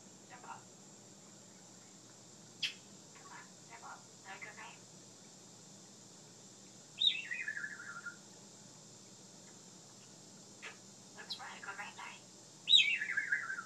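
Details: Captive African grey parrot recorded indoors from around a corner behind glass, mimicking speech and snoring at bedtime: faint mumbled speech-like phrases and clicks, then two loud descending whistled glides, over a steady hum.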